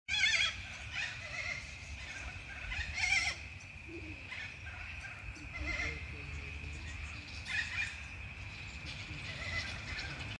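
Australian wood ducks give drawn-out, nasal, whinny-like calls every few seconds over a steady high hum and a low background rumble.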